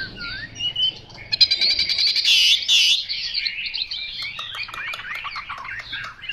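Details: Song of a Chinese hwamei: quiet whistled notes at first, then a loud burst of fast, buzzy, trilled phrases. It ends in looping, slurred whistles that wander up and down.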